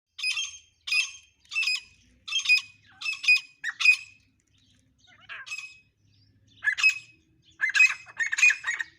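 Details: Black francolin, called kala or dakni teter, giving harsh, grating multi-note squawks. Bursts come about every 0.7 seconds, then pause, then resume more loosely with scattered rasping notes.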